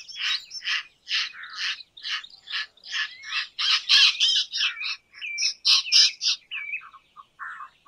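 An Indian roller gives a rapid series of harsh, rasping chack notes, about three a second, with a few thinner squeaky notes near the end.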